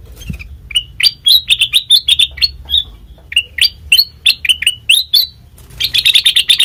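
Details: Lure song of a sooty-headed bulbul: a lively series of clear whistled notes, some rising, some dropping, spaced in quick groups, ending in a burst of rapid chattering chirps.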